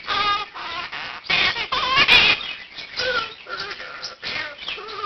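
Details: At 7 am, a one-year-old captive Quaker parakeet practises learned words during its wake-up call. Rough, quavering squawks and chattering phrases repeat in short bursts, and other birds in the room join in.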